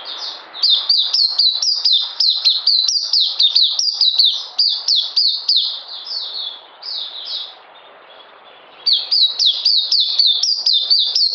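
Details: Oriental white-eye kept in captivity delivering a fast, high-pitched twittering song of bright downslurred chirps, falling quiet for about two seconds before resuming the same rapid pattern.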